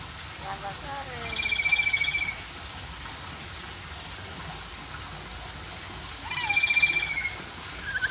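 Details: A pet black-capped lory (Lorius lory) mimics speech, saying the Indonesian greetings "selamat sore" (good afternoon) and "selamat pagi" (good morning) in two short, high phrases about five seconds apart, over a faint background hiss.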